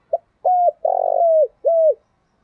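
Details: Deep-voiced 'thổ đặc' spotted dove cooing in the morning, a call meant to set other doves cooing. One clean phrase: a quick pip, a flat hollow hoot, a long vibrating note that falls away, and a final hoot.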